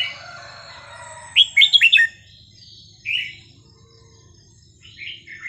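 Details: Red-whiskered bulbul kept in a cage, singing non-repeating phrases to tutor young birds: a burst of four crisp bright notes, a single warbled phrase a second later, then softer notes ending on a sharp chirp.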